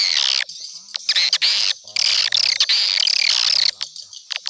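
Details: Swiftlet lure call used to attract swiftlets: dense, buzzy chattering twitters in long bursts broken by brief silences, with a few short sharp clicks between bursts.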